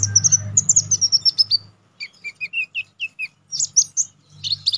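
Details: Sharp, lively konin songbird song recorded to train contest birds. A fast falling series of high chirps runs over a low hum, followed after a short gap by mid-pitched whistled notes and high chips.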